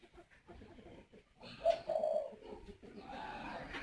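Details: A male Spotted Dove at a breeding aviary in Ba Vì, Hanoi, northern Vietnam, goes to the nest and coos to urge the female to lay her next clutch: low, hollow, mellow drawn-out coos close together, over soft rustling.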